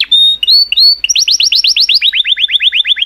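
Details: Canary singing a few clear whistled notes that rise slightly, followed by a fast series of repeated downward-slurred notes, about five or six per second.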